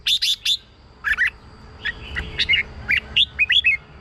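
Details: Red-whiskered bulbul song, played as a lure and to excite caged birds: short bright warbled phrases in quick bursts of two to four notes, with brief gaps between groups.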